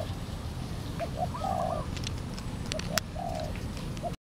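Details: Wild spotted dove coming near a decoy bird during trapping at Valdor, Seberang Perai, very cautious; clear rolling coo phrases with a longer drawn note, plus a few faint clicks in the background.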